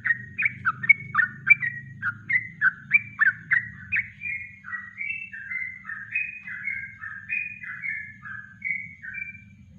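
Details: Master recording of a Yellow-vented bulbul's natural song for training birds: fast, bubbling whistled notes about three a second, first falling then flatter and longer, over a low steady hum.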